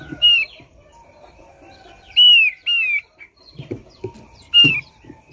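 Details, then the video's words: Thick-billed white-eye song used as a lure for birds: clear whistled notes sliding downward, given singly and in pairs at irregular intervals, with soft low clucking and rustling sounds in between and a steady high electronic tone throughout. "pancing bunyi burung opior paruh tebal"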